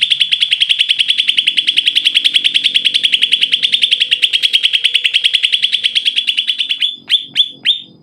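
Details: Vigorous greater green leafbird song meant to stir leafbirds that rarely sing: a rapid steady stream of bright, ringing notes, about three per second, lasting nearly seven seconds, ending in a few louder sweeping downward whistles.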